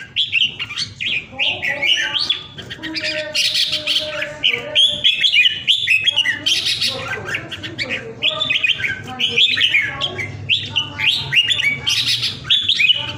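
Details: Caged red-whiskered bulbul from Vietnam, kept at home during Covid, pours out a long, nearly continuous run of loud, rich whistles and chattering notes. Its forceful 'ground airplane' style of song is accompanied by a faint low hum in the background.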